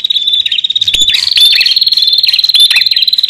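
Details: Bar-winged prinia pair, male and female, in a wild-bird lure recording: a fast, unbroken high-pitched chattering trill with frequent short descending chirps, about two per second.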